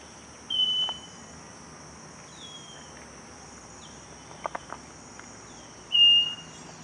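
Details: Scaly-breasted wren song from Cocorna, Magdalena Valley. Clean sustained whistles come at long intervals, with fainter whistles in between, a few soft clicks and a constant high-pitched insect hum behind.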